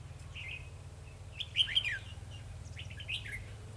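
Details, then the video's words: Trapping decoy red-whiskered bulbul in a cage, 2 December 2020, singing aggressively toward rival birds: a loud, rapid, descending warble flanked by shorter chirped phrases, low hum underneath. "Bẫy chào mào Đấu lắc lư"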